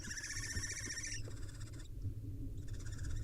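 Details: Barn owl at its wild nest, the male feeding a nestling swallow to the owlets. A buzzy, finely trilled call lasting over a second, followed by a softer trill, above a low background rumble.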